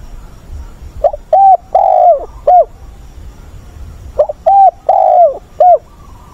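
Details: Decoy spotted dove with a provoking voice for training wild-caught birds, recorded 20 August. Two repeated cooing phrases about three seconds apart, each with brief opening notes, a drawn-out falling coo and a clipped ending note.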